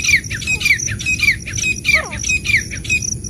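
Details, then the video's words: Black francolins, said to be female and male, give harsh, grating squawks about every half second, each with a quick downward slur, over a low background rumble. "महिला पुरुष तीतर की आवाज | female male teetar ka awaaz | francolin calling | kala teetar awaaz"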